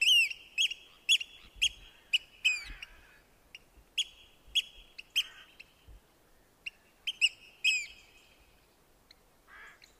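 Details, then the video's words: Eurasian oystercatcher giving loud, shrill piping notes, kleep kleep, in irregular bursts about twice a second, with a faint background murmur. "Oystercatcher call"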